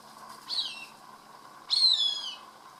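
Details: A Cooper's hawk feeding on a rat it caught gives two high, thin, downward-slurred squealing cries about a second apart, the later one louder and drawn out, against a quiet backdrop.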